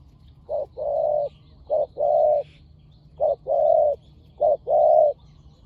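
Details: Spotted doves from a fierce pair set against each other in decoy luring give four measured phrases. Each phrase is a brief clipped coo and then a longer, swelling hoot, spaced about a second apart.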